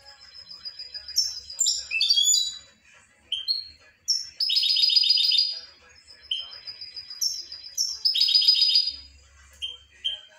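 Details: Singing European goldfinch gives rapid, varied twitters mixed with repeated buzzy, rattling trills, all high and bright, in a long run of phrases.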